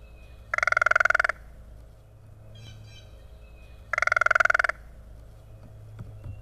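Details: Two crows around a yard in Kalamazoo, Michigan, in spring, one very talkative; two rapid, stuttering rattled bursts a few seconds apart, each under a second, with a faint call between them.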